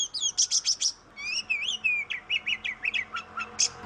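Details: Oriental magpie-robin in vigorous song, a lure for reluctant singers: opens with four harsh buzzy bursts, then flowing rising-and-falling whistles and a string of short clipped notes ending in a rasp.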